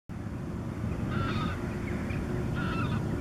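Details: A first-winter American herring gull on the outskirts of Campbeltown, Argyll, 3 March 2014, gives a few nasal, drawn-out mewing calls in short bursts over a steady low rumble of wind or engine noise.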